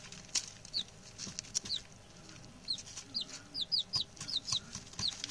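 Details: Six male chicks, settled in well on their first day, give sharp high cheeps sliding downward, sparse at first then more frequent toward the end, with background scratching.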